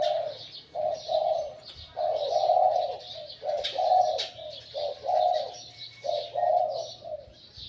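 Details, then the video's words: Decoy spotted dove, said to be fully wild, with a voice between medium and large: a loud run of warm, low coos in short groups, some drawn out and rolling. Light chirps of other birds and a few clicks are also heard. "สุดยอดนกต่อ หลิ่วตัน"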